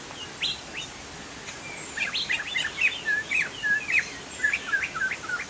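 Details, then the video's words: Chinese hwamei, called poksay jambul from Sumatra, singing vigorously ('gacor'): a fast run of clear whistled notes, many slurred and hooked, tumbling in quick succession for several seconds after a brief quiet start, over steady hiss. "POKSAY JAMBUL GACOR"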